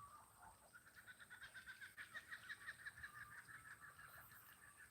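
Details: Kookaburras laugh in the distance on an Australian farm, a rapid run of hooting, cackling notes that swells to a loud rolling peak and then eases off.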